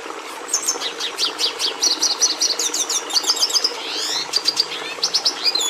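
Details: Red siskin (Carduelis cucullata) singing a fast, high twittering song of rapid chirps, buzzy rising and falling notes and short repeated trills, with a sweeping downward slur near the middle over a faint background hiss.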